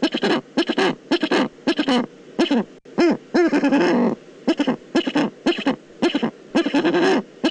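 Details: Eurasian eagle-owl in the Eifel, Germany, recorded on 22 October 2014. It gives quick clusters of short, low, arched harmonic notes, some rough and buzzy, grouped in bursts separated by brief pauses.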